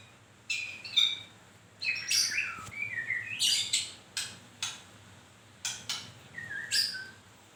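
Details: White-rumped shama in moult, losing its feathers, singing a varied song of short high bursts and sliding whistles, with notes spaced irregularly and quiet gaps between phrases.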